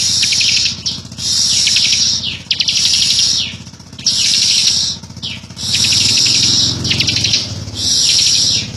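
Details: 'Ngebren' song of the bar-winged prinia: harsh, high-pitched buzzing trills repeated in bursts of about a second, with brief dips between. A constant low droning hum runs beneath.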